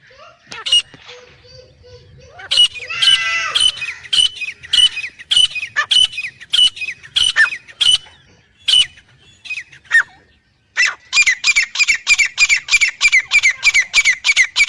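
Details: Black francolin, male and female, giving harsh squawking calls with short whistled tones, about a dozen notes, a pause, then a faster burst of loud repeated grating notes near the end.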